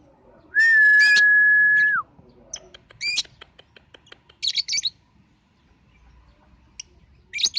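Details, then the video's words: Lovebird lure sound used to prompt young lovebirds to sing: a long steady level whistle lasting about one and a half seconds, followed by scattered high sharp chirps and short buzzy trills. "Suara Pancingan LB cocok untuk BALIBU!!!!!!!"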